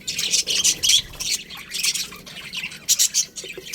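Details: Budgerigars in a colony squawk and chirp. Sharp, high, scratchy notes come in short groups, with a quieter patch before a final loud cluster.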